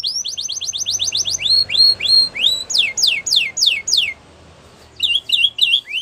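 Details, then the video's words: Canary singing for training: rapid chips, then rising swept notes and steep descending whistles, a brief silent pause, then a short burst of repeated quick notes. "Canary Bird Sounds | Canary Training"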